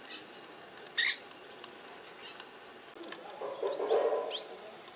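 Cactus parakeet giving one loud, harsh screech, then a few thin rising squeaks, with a low rumbling murmur in the background.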